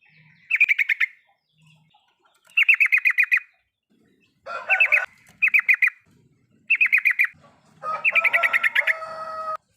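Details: Yellow-vented bulbul song used as a lure to get a silent bird singing: short bursts of rapid bubbly notes, each burst under a second, repeated with pauses, the last one longer and mixed with a lower chattering voice.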